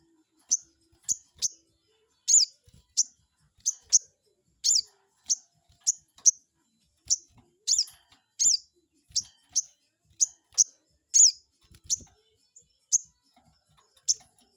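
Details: A crested jay lure for provoking rivals: a long, steady run of sharp, high-pitched chirps, a few drawn out slightly longer, with faint low clicks around them.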